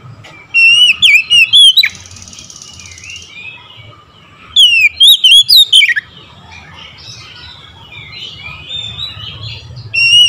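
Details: Oriental magpie-robin in morning song, delivering three loud bursts of fast, looping whistled notes spaced several seconds apart, with softer warbled notes and a quiet hum between them.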